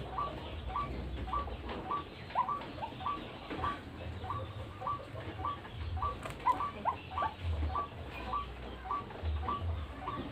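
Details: Bird-luring call of a white-breasted waterhen: faint, short upturned notes repeated in loose clusters over steady low rumbling background noise, with a brief higher click partway through.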